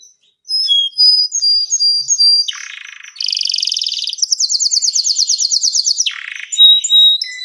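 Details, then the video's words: Canary song: clipped high whistled notes, then loud rolling buzzy trills, a very fast rattle, and a return to pure whistles, delivered without pause. "THIS LONG GACOR Canary"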